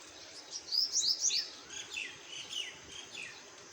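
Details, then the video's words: Small birds chirping: a quick burst of bright, high, downward-slurred chirps in the first second and a half, followed by softer, evenly spaced chirps about every quarter second against faint background hiss. "Birds Chirping Sound |Birds chirping"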